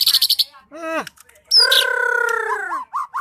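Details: White-rumped shama singing a rapid burst of high chips, then a down-slurred whistle and a long, harsh, nasal sustained note, ending with short rising whistled phrases.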